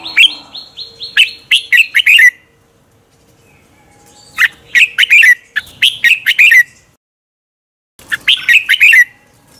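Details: Contest-singing red-whiskered bulbul at morning, a lure recording for training birds: three lively phrases of rapid, slurred, chirpy notes, each about two seconds long and separated by short silences.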